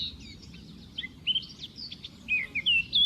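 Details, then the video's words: Sparrows singing in a forest: a lively tangle of high, thin whistled chirps and short slurred notes, some rising and some falling, tumbling irregularly for about three seconds over a faint low background rumble. "تغريد عصافير في الغابات"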